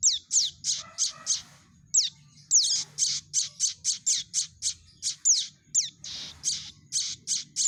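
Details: Young prinia calling, used as a lure for trapping birds: rapid series of harsh, raspy high-pitched notes, some opening with thin downward-sweeping whistles, repeated several times per second with brief pauses, over a faint low hum.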